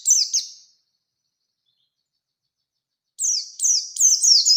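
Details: Oriental white-eye in rolling wild-style song meant to draw out a rival. A short burst of high, sharply falling twittering notes, then a long silence, then the fast descending chatter resumes.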